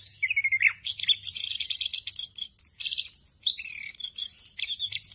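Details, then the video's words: Training recording of orange-headed thrush ngerol song, rich in filler phrases. A mid-pitched whistled note that drops at the end opens a busy flow of chattering, buzzy and trilled phrases that runs without pause. "ANIS KEMBANG NGEROL FULL ISIAN EFEKTIF UNTUK MASTERAN ANIS KEMBANG BAHAN AGAR CEPAT GACOR"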